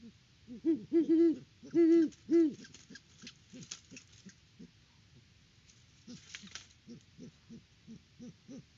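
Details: A Great horned owl pair at the nest on a Kansas farm, Peabody, October 2023. The male hoots and clucks on arrival. Four loud, deep hoots open the passage, then come many soft, short, low clucking notes at irregular intervals, with faint rustling.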